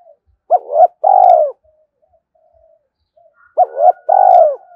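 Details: Decoy spotted dove calling to lure wild males: two matching phrases about three seconds apart, each a short hooked coo then a drawn-out, throbbing, falling coo, with faint soft murmurs between.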